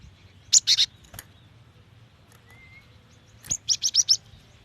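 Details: Female cinereous tit calling a male, a very fast call used to lure wild birds into singing: two quick bursts of sharp, high chirps, three or four notes at first, then a tighter run of five after a pause, with a faint low hum.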